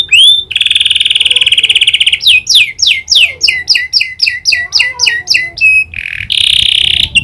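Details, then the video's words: Canary singing with prinia click imitation: an opening sustained buzzy trill, then a run of repeated sharp rising-and-falling chirps about four per second, ending in a harsh buzzy burst. "Burung kenari gacor isian prenjak klik"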